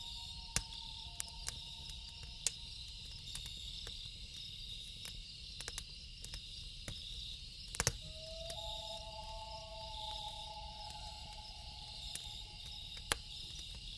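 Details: A loon calls at night by a lake, giving long, drawn-out mournful notes over crackling campfire and a steady cricket chorus.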